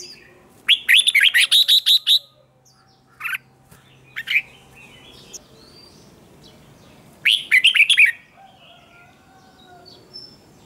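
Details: Red-whiskered bulbul singing in a competitive singing duel used for song training: a burst of rapid, bright warbled notes, then a few isolated chirps, then a second quick warbling burst near the end, against a quiet background.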